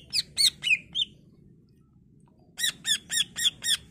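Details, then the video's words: Varied song of a greater green leafbird, used as a lure so other leafbirds answer: four sharp descending notes, a pause of over a second, then a rapid even series of five similar clipped notes. "Cucak ijo gacor full isian Variasi Cocok buat Pancingan agar Cak ijo lain Nyaut dan Gacor"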